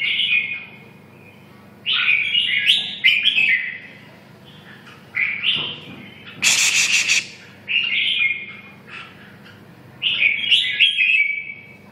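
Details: Red-whiskered bulbul delivering repeated short warbled phrases every couple of seconds, clear and whistled, with one harsh noisy burst partway through and a faint steady hum underneath.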